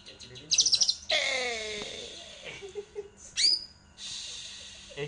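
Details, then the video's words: Greater green leafbird singing a quick run of sharp, high twittering notes, then a descending series of lower, harmonic whistles and scattered bright chirps. "Cucak Ijo Mantul Mantap Betul"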